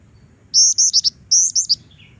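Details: Female Black-winged Flycatcher-shrike singing energetically, used to lure and train young birds. Two quick phrases, each of four bright, very high squeaky notes, with a softer, lower trailing note at the end over a low background hum.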